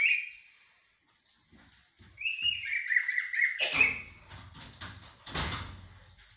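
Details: Common blackbird singing in styles described as mourning and military: a clear whistled note, then a warbling run of fluted phrases that ends in scratchy twitters, with a low thumping noise near the end.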